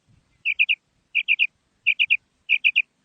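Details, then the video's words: Female quail calling, from Pakistan: clear groups of three short, sharp, liquid notes, repeated about every 0.6 seconds against silence. "Female Batair Sound / مادہ بٹیر کی آواز / Bedana Ovozi"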